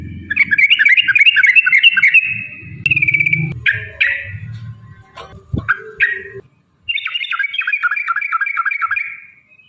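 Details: Yellow-vented bulbul lure song meant to provoke singing and fighting: a rapid run of bubbly chirps, a middle stretch of scattered notes with low rumbling and clatter, then another long fast chattering run.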